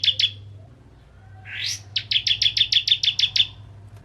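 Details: Crystal-type bar-winged prinia in energetic song meant to draw other prinias into singing: two sharp chips, a rising buzzy sweep, then a quick run of about ten high, even chirps; steady low hum behind.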